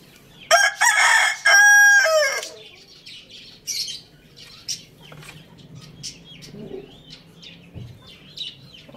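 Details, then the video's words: A rooster gives one loud crow of about two seconds, harsh at first and ending in a drawn-out strained note; small birds chirp faintly afterward. "Rooster Crowing Sounds"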